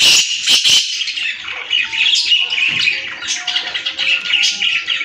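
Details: A 2-year-old captive black francolin gives loud, harsh, grating squawks in quick bursts, with faint steady musical tones underneath.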